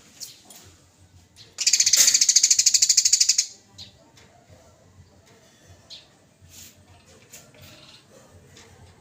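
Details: Fighting Eurasian tree sparrow in full voice on a songbird training recording: one loud, fast run of high rattling notes lasting about two seconds, then quiet with only faint scattered chips.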